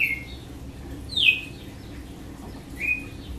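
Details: Red-cowled cardinal in açoite song: three thin, downward-slurred whistled notes separated by pauses, the middle one highest, against a quiet background.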